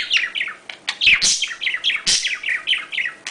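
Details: Budgerigar mating chatter and calls, a fast, unbroken run of bright chirps, squeaky warbles and sharp clicks, several each second, with no other sounds.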